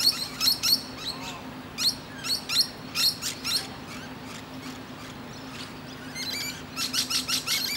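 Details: Musk lorikeet sitting on a tree branch, chatting to other birds: a lively series of quick, harsh squeaky calls, fading briefly mid-way, then a fast burst of rattling screeches at the end.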